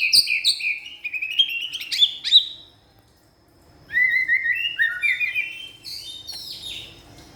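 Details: White-rumped shama firing off 'isian' filler material: dense, varied chattering and whistled phrases, buzzy trills and rapid descending notes, one burst followed by a brief silence and then another fast, complex run.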